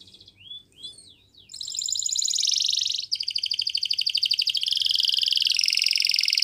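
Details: Yellow canary singing in the morning: a few high descending slurred whistles, then long rapid buzzy trills and rattling rolls that stay high and loud, repeated quickly without pause.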